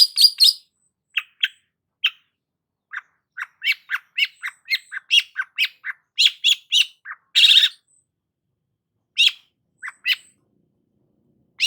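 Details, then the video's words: Long-tailed shrike (cendet) singing a varied, scratchy sequence of short harsh chips and squawks at irregular intervals, including a loud rasping burst, used to provoke other shrikes. "BURUNG CENDET GACOR PALING AMPUH UNTUK PANCINGAN CENDET STRES"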